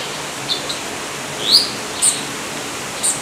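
Yellow-olive Flycatcher giving a few thin, sharp, high-pitched notes, one slightly rising, spaced irregularly over steady rushing background noise.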